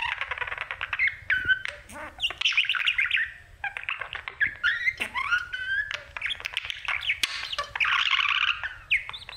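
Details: A pet male budgie sings to its mirror in a steady, lively warble. Rasping chatter mixes with rising squeaky whistles and clicks in long runs broken by short gaps.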